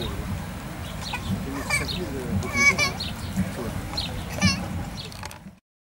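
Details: Eurasian coots on Lake Biel, Switzerland, 31 July 2015, give a busy jumble of short, sharp, nasal calls and squeaky notes, several birds overlapping, over a low rumble of wind.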